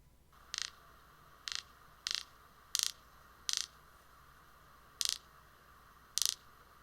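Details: A Greater Roadrunner bill-rattles, a sound both males and females make: seven sharp, dry clacks at uneven gaps of about a second, with only a faint hiss underneath.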